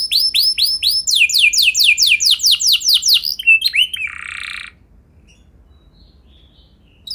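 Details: Canary singing for training other canaries: looping whistles, then a run of rhythmic downward-sweeping notes, a harsh buzzy burst, and a near-silent ending.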